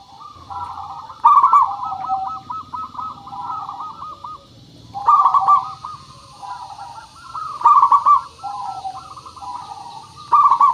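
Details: Zebra dove lure recording of a local strong singer: a long run of rapid repeated cooing notes and several loud stuttering rolled bursts, tightly packed and overlapping, with a low hum and steady hiss.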